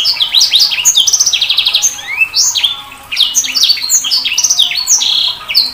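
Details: Continuous high-pitched song from a sanger bird, mixing quick descending chirps, a rattling trill and rising slurred whistles in a busy, varied stream.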